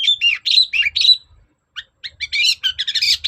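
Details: Long-tailed shrike song used to provoke other shrikes into replying: rapid high chattering and scratchy notes with short whistled slurs, in bursts about every fraction of a second, a brief pause midway, then a denser harsh run.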